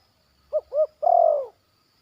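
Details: Zebra dove in training, calling in a yard: two short rising-falling hooted notes followed by a longer, slightly tremulous, downward-sliding coo, all low and clear against a quiet background.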